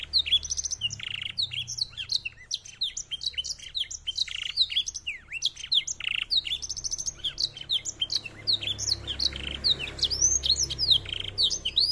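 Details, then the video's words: Black-throated canary, a finch from Africa, delivering a long continuous song of quick high chirps, downward-slurred whistles and brief buzzy bursts, notes tumbling rapidly without pause; low background hum throughout. "KENARI ISIAN BLACKTHROAT"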